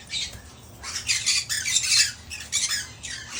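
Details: One-legged rescued male Hahn's macaw working out how to climb around its new cage; rough, grating squawks repeated irregularly, roughly ninety per minute, with a low room hum beneath.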